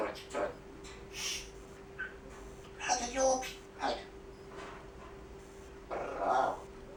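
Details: Indoor pet grey parrot demonstrating its repertoire of mimicked sounds: scattered speech-like syllables and clicks spread over several seconds, ending in a longer voiced note, with a constant low hum in the room.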